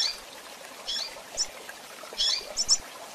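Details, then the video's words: Female double-collared seedeater calling, used for bird training: short, high, thin chips, some doubled, in two loose bursts over steady background hiss. "Fêmea de Coleiro Chamando e Piando"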